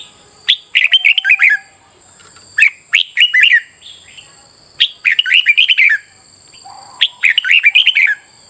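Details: Red-whiskered bulbul in morning song training for competitive singing: four bursts of quick, bouncy whistled notes, each phrase of about five to seven syllables, separated by short gaps, with a continuous high-pitched hiss.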